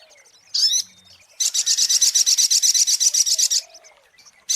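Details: Sunbird, locally sogok ontong, in a lure recording: one sharp high chirp, a pause, then a fast, even, high-pitched trill of about twenty notes lasting two seconds before stopping.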